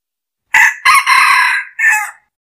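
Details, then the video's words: Red junglefowl used as a lure bird crows once: a short opening note, a hoarse broken middle, and a clipped final syllable, all in under two seconds, with nothing else heard. "Tiếng gà rừng mồi"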